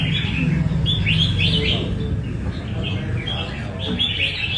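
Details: Café song practice in Đà Nẵng by a caged Nam Đông red-whiskered bulbul: several lilting, swooping chirps in fast sequence, pausing briefly, then resuming, with a low continuous drone underneath.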